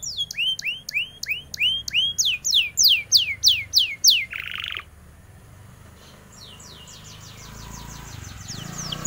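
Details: Canary song used as tutoring material for white-eyes: a steady tour of clear downslurred whistled notes repeated about three times a second for over four seconds, a short buzzy burst, then fainter repeated notes continue.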